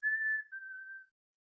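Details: Black-capped chickadee (Poecile atricapillus) song in Maine: one clear whistled two-note fee-bee, the second note slightly lower and longer, otherwise quiet.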